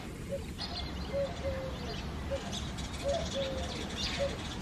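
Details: Eurasian collared dove singing in the early foggy morning in February: soft, low cooing notes in short groups, repeated through the clip over a steady rumbling low background noise.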